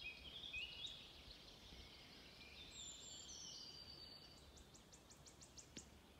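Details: Wood warbler singing on 16 May in pastureland at Stornäset, Alnö, Sweden: high, thin ticking notes speeding into a shivering trill, faint behind blackbird, robin and blackcap song and a steady rural hiss.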